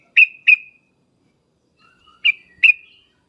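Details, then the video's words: Sooty-headed bulbul call played to prompt answering birds: two sharp bright chirps, a second of quiet, soft twittering, then two more strong chirps with trailing tails. "suara panggilan trucukan dan ngriwek uplik uplik ini menjadikan burung trucuk gacor nyaut seketika"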